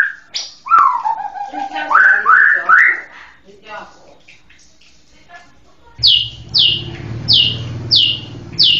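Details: White-rumped shama giving varied whistled phrases, then a quiet gap, then a series of sharp high downslurred notes repeated about every half second over a steady low hum.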